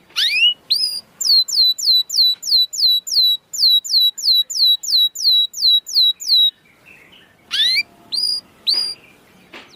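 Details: Canary song meant to prompt lazy, non-singing canaries to sing and come into breeding condition: a long run of rapid repeated downslurred whistled notes, about three per second, followed by a pause and a few scattered rising chirps.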